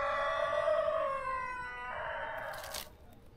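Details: A Brahma rooster gives one long, hoarse crow lasting about three seconds, holding a steady pitch before dropping and breaking into a rougher, fading finish.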